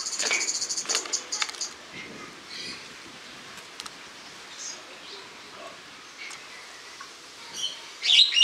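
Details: Spreo starlings filmed in August 2015, giving high, scratchy chattering calls in bursts at the start and a loud squeaky outburst near the end, with quieter gaps of rustling between.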